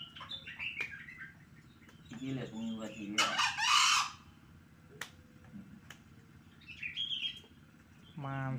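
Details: Green junglefowl crowing during a group training session (latber) in Kademangan, Blitar, Indonesia: harmonic rising notes lead into a loud, harsh, broadband burst about a second long, with human speech, small birds chirping and a later squawk around it.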